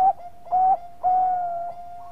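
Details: Zebra dove (Bangkok perkutut) singing as a lure, giving two short, clear mid-pitched coos, then a long sustained cooing note, with a faint higher tone beneath.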